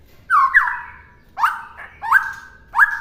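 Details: White-rumped shama song used as a master recording for birds to imitate: four loud, clear whistled phrases, each rising sharply and then held steady, with short pauses between them.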